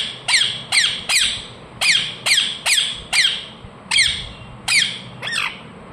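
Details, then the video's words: Ring-necked parakeet kept as a talking pet bird calling indoors, shrill downward-sweeping chirps spaced roughly every half second to second, bright and piercing, with a quiet room hum beneath. "Ringneck parrot Chirping sounds"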